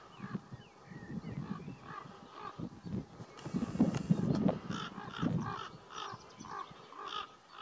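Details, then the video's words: Breeding common ravens squabble with a pair of nesting crows next door, a distraction to keep a person from coming within 150 m of the nest. Rapid, hoarse, repeated caws run over a low rumbling background noise. "Provoked Fight: Distraction by Ravens / Afleidingstaktiek Raven (Corvus Corax)"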